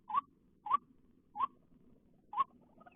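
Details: White-breasted waterhen heard after rain while birds are being trapped; four evenly spaced, short, rising croaks, each roughly 0.7 seconds apart, over a low background murmur.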